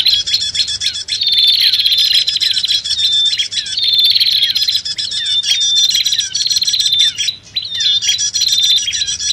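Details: Prinia lure recording blending bar-winged prinia and common iora: continuous harsh buzzing chatter in long bouts with thin whistles woven through, barely pausing.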